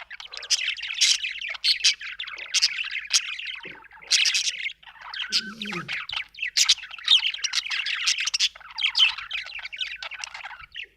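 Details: Continuous budgerigar warble: scratchy chirps, chatter and squeaky notes running almost unbroken over eleven seconds, pausing briefly near the middle, with a soft low murmur around six seconds.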